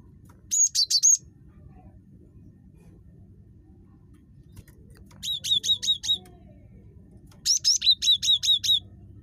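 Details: Chattering gelatik batu, or cinereous tit, delivering three quick bursts of thin, high, slurred notes, the last a run of about six evenly spaced whistles, with soft low background rumble.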